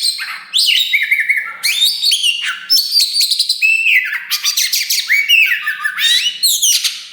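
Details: Oriental magpie-robin (kacer wulung) singing loudly with tail being pushed open, used to provoke other birds; dense stream of sweet slurred whistles mixed with buzzy chatters and sharp squawky notes, almost without pause.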